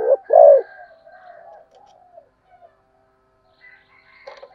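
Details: Spotted dove giving fast, urgent cooing: two loud, low, hollow coos open the sequence, followed by softer drawn-out coos trailing away, then a brief faint scratchy burst near the end.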